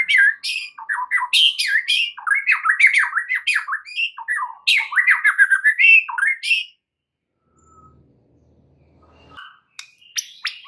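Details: White-rumped shama song used as bait to spur other shamas into vigorous singing with more varied content: a dense, energetic stream of harsh chattering and quick whistled notes for about seven seconds, then quiet with scattered faint chirps.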